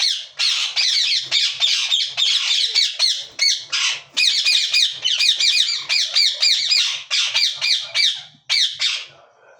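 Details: Harsh chattering squawks of a yellow ringneck parakeet come in quick bursts, each a string of shrill downslurred notes, with short silences between bursts and a quiet background.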